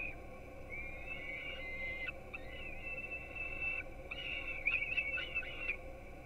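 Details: Young peregrine falcons at a nest in Gdynia, Poland, filmed by a live webcam around 4:21 am while being fed breakfast. They give long, drawn-out, high whining wails with a few sharp clicks, then a broken, wavering burst near the end.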